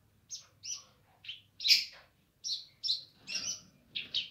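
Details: Vigorous song of a streaked spiderhunter: a string of short, sharp, harsh chirps spaced roughly every half second, each a quick high note, some doubled, over a quiet background.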